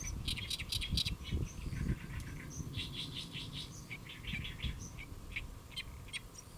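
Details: Great reed warbler perched on a lotus leaf in Saemangeum, Gimje-si, Jeollabuk-do, Korea, 1 July 2024 at midday, delivering rasping, stuttering notes repeated in short bursts, with steady low-pitched background noise.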